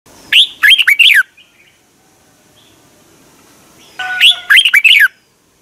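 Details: Caged Red-whiskered bulbul from Thailand, song played to stimulate caged birds: two bright, warbled phrases of quick up-and-down notes around one second each, separated by a three-second pause with faint background noise.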